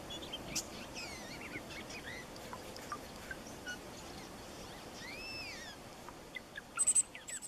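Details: A Blue Jay's whisper song, a quiet breeding-season song, has soft slurred whistles rising and falling with scattered clicks and liquid notes over a steady low background hiss.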